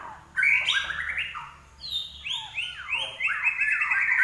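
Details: Common iora singing vigorously, kept as a caged songbird in Indonesia: bright whistled and chattering notes that slide up and down, with a quiet start before a burst of rapid, uneven phrases.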